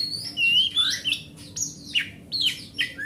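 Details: Oriental magpie-robin from the forest sings to stir a silent caged magpie-robin. Clear whistled notes slide up and down, mixed with sharp falling slurs, in short phrases about every half second, with brief gaps between them.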